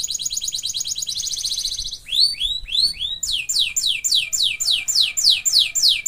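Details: Canary singing a tutor recording of the isian song style, a fast buzzy high trill followed by series of down-slurred whistled notes repeated rapidly, about four per second.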